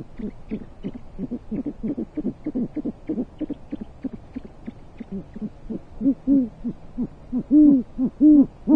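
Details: Male great horned owl hands prey to the female at their basket nest in Corona, California, 14 January 2023; rapid low hooting chatter gives way to several louder, longer, resonant hoots spaced about half a second apart.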